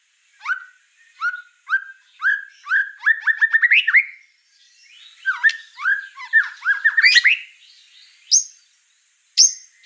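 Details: Vigorous white-rumped shama song: spaced whistled notes speed up into a rapid twittering run, then a second varied chattering phrase and two isolated high sharp notes.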